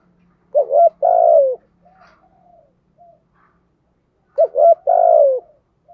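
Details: Spotted dove, a decoy bird in the rustic 'giọng thổ' cooing style, gives two deep, throaty coo phrases about four seconds apart, each a short hooked note then a longer sustained rolling coo, with faint soft notes between.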